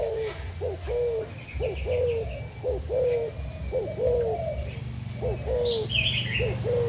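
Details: Thai-strain spotted dove decoy for trapping gives steady mellow coos, a brief lead-in note then a longer sliding hoot, repeating nearly every second; a thin high bird chirp appears near the end over a low background rumble.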